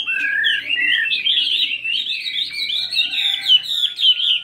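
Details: Changing-voice morning practice by a 72-gram fighting Chinese hwamei: an unbroken, loud warbling run of whistled notes that rises in pitch, then tumbles through rapid varied twitters.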